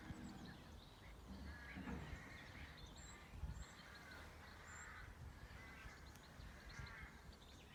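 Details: Peaceful birdsong on a farm: rough cawing notes repeated at intervals of about a second and a half, with a few thin high whistles, over a constant low hum of outdoor noise.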